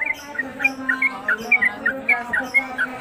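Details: Caged Sooty-headed Bulbul (trucuk) in konslet style, a long-lasting singer used to tutor other birds: clear, fast-paced sharp notes repeating steadily about three times a second over a constant low hum.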